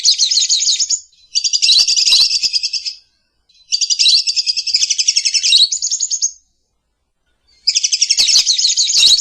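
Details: Lovebird song in the morning, used as a lure and master song: long bursts of rapid, buzzy high chattering trills lasting about two seconds each, separated by short silences, three bursts in all.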